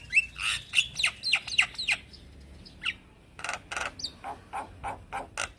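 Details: Male Javan myna calling to young companions with quick whistled notes mixed with harsh rasps, a brief lull, then loud buzzy bursts interspersed with a high rising whistle.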